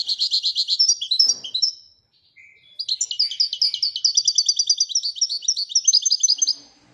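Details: Moroccan European goldfinch in the Wedania style delivers a long continuous twittering song, a quick chattering series, a brief break with a low note, then an extended run of rapid repeated high tinkling notes lasting about four seconds.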